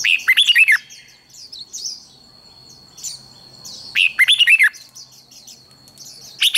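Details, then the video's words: Red-whiskered bulbul song for singing-contest training: loud rolling phrases of several fluty, dipping whistles repeated about every four seconds, with softer high twitters between and a faint constant high whine. "Chào mào hót đấu"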